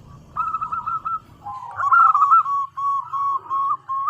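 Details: Female zebra dove calling to the male as a lure: a fast trilled run of cooing notes, then warbled and evenly repeated mellow coos at about three per second.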